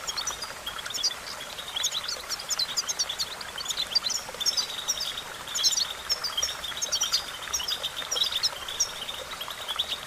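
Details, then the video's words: Goldfinch singing for training, a long, busy, bubbling sequence of high twitters and quick chirps that rarely pauses, over soft background hiss. "The magic recipe to silence the goldfinch and make it sing"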